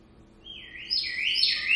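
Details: African grey parrot kept at home imitating a door alarm it learned from people coming and going: a rising, electronic-sounding whistle that sweeps upward and warbles high and loud.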